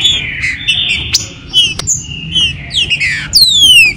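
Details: Captive green-winged saltators in a warm-up recording for the 2022 season: a long steady whistle, small chirps, then a sliding run of falling notes ending in a bright downward sweep.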